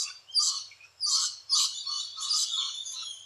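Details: Loud, rasping screeches from rainbow lorikeets nesting in holes in Australia, roughly three long harsh bursts in quick succession over a faint low hum.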